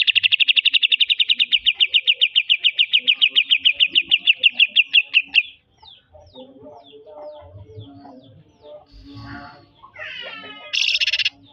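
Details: Greater green leafbird singing in the trotol Petruk style, a fast, even run of bright, chattering high notes lasting about five seconds, then softer scattered notes and a short loud burst near the end.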